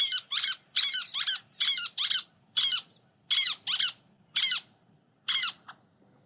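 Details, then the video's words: A Least Tern, the smallest tern in Connecticut and a state-threatened shoreline nester, gives its typical high, squeaky, chattering keek-kitty calls in a played recording, about a dozen in quick bursts over six seconds, with various other calls mixed in. "So various other calls in there, but that's sort of like key kitty, key kitty, key kitty is the typical least tern call."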